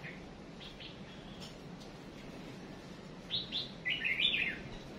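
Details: Small songbird (chim chuyền) female used as a decoy to make males sing: after a quiet stretch, a few sharp high chirps, then a rapid twittering cluster near the end.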